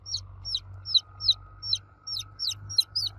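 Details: Domestic chicks calling for their mother hen, loud piercing cheeps that slide downward, given roughly three per second with uneven gaps, over a low background hum.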